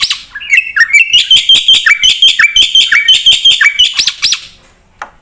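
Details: Black-winged myna (jalak putih) singing with full fill-ins as a tutor and lure. A quick series of loud, repeated high chips with falling slurs ends in two arched whistles, followed by near silence and one faint note.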